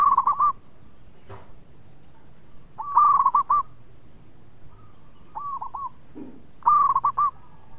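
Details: Local zebra dove in song in Indonesia, repeating short loud bubbling cooed phrases every few seconds, with softer coos in between.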